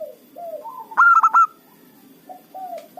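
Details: Zebra dove of a local strain, kept as a lure bird for trapping rivals: low bending coos lead into a sharp cluster of four loud, clipped ringing notes, then quieter cooing resumes after a pause.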